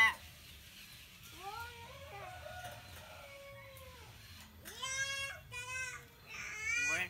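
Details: A common hill myna, one of a pair being matched for breeding, imitates human speech such as "assalamualaikum" and "allahuakbar": rising and falling harmonic phrases with a whining, cry-like tone, broken by a few short pauses.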